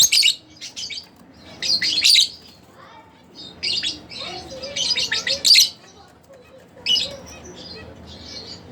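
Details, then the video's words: High, grating chirp clusters from pet split blue Fischer's lovebirds arrive in uneven groups, some strung two or three together, separated by quieter stretches with faint lower notes. "lovebirds chirping | singing Sound"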